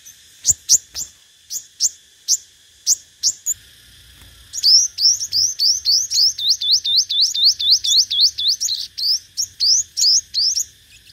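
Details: Decoy sunbird in competitive song, called the five-coloured sunbird: spaced, thin, high ticks at first, then a fast run of rising whistled upslurs repeated roughly four times per second.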